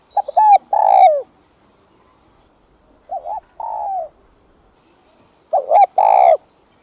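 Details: Cu gáy (Spotted dove) song for stimulating kept birds: three coo phrases roughly every two and a half seconds, each with clipped opening notes and a drawn-out, falling final coo, with no other sounds.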